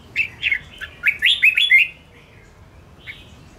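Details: Fighting song of a Red-whiskered bulbul, used to stir up rival birds: a rapid run of short chirpy whistled notes for about two seconds, then quiet with one soft note near the end.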